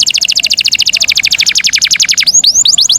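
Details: Canary song played to bring birds into breeding condition; a fast, steady trill of high rising-falling notes, about three per second at first then quickening, ending in sweeping upward whistles.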